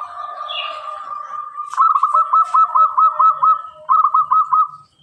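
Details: Energetic local zebra dove with a very clear voice: a faint soft opening tone, then a long even series of hooked, bubbling coos at about two per second, a short pause, and a final brief run.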